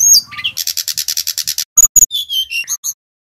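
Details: Lively Bali-type brown-chested jungle flycatcher song used as a lure recording: a fast, evenly spaced series of shrill high notes, two sharp clicks, then a descending string of clear whistled phrases.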